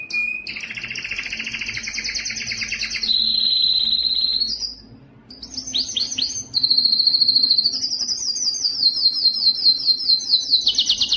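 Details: Canary singing strongly to provoke other males: long rolled trills, a steady tour, a short silence, then swooping notes and a rising, rapidly repeated trill.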